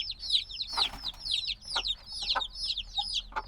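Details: Noisy chorus of black chicks only days old, still needing their mother's warmth: rapid high downslurred peeps overlapping continuously, a brief rustling burst near the start, light tapping below.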